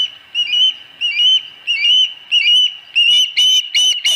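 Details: At a Dunrovin Ranch nest, 26 August 2020, an osprey gives a steady run of high, piercing whistled cheeps, each slightly rising, about one or two a second and growing louder and harsher toward the end. Fourth fish.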